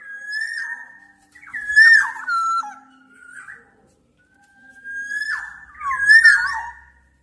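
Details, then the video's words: Two long whistled phrases of a Black-naped oriole, each opening on a steady note, then tumbling into slurred, looping, liquid notes, with a quiet pause between. "Tiếng chim Vàng anh Gáy đen/ VA Trung Quốc ✅Black-naped Oriole(Oriolus chinensis) ✅นกขมิ้นท้ายทอยดำ"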